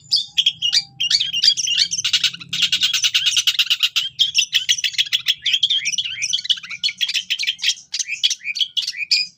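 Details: Long-tailed shrike singing gacor with cililin fill, a training recording for captive birds: dense, scratchy chattering with a rattling trill early on, then a long run of quick varied notes.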